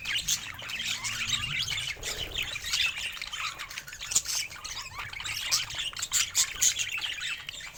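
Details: A flock of pet budgerigars keeps up a steady, high scratchy chatter of squeaks, clicks and trilled warbles throughout.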